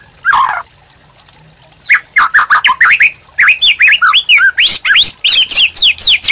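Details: White-rumped shama, master song for luring and training captive birds: one burbling note, a pause, then a rapid continuous string of varied slurred whistles and sharp chips.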